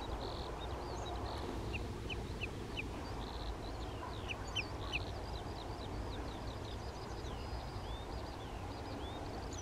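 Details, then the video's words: Common redshank adult and juvenile near Skoczów, Poland, 16 June 2021; scattered sharp piping notes mixed with other high chattering bird calls and buzzy bursts, over steady low rumble. "Krwawodziób Tringa totanus , dorosły i młody osobnik"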